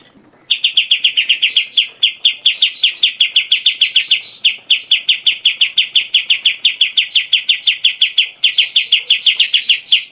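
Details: Grey-cheeked bulbul (cucak jenggot) song, used as training material for songbirds: a loud, fast, even chatter of clipped high notes running almost unbroken for ten seconds, with one brief pause.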